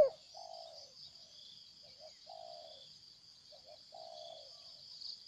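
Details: Distant wild spotted dove that came to fight and then departed, with soft low coos, a couple of quick notes then a longer falling one, repeated twice under a prominent steady high insect drone.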